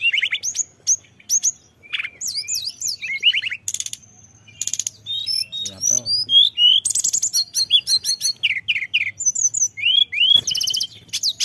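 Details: Lure recording of blood-breasted flowerpecker song with fill-ins: stuttering high chirps, twisting twitters, buzzy bursts and runs of short rising whistles in a long, dense sequence.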